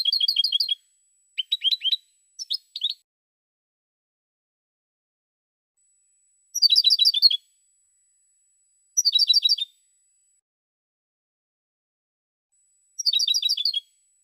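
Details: Song of a European goldfinch recorded in 2016, with dense, high, liquid twittering phrases of under a second, spaced several seconds apart in silence.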